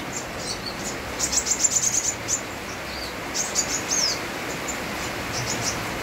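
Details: Sunbird singing with rain: a quick burst of thin, very high twittering notes, then shorter trills later, all over a loud steady wash of rainfall.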